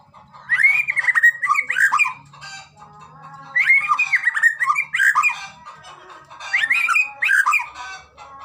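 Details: Murai batu, the white-rumped shama, in a recording used to coax shamas into singing: three loud bursts of fast, varied whistles with swooping notes, with a soft lower drone between the phrases.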